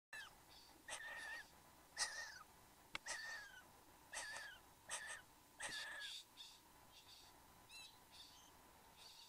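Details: Satin bowerbird, male and female in the bower, Australia, 15 November 2014, 9:05 am: harsh, wheezy calls with a level whistled tone that dips at the end, given irregularly about once a second among softer rasping notes.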